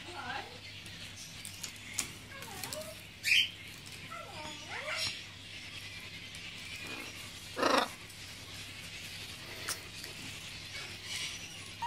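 Macaw giving a few short, harsh, buzzing rasps like a dot-matrix printer, with softer chattering, wavering notes between them; a human voice may also be heard.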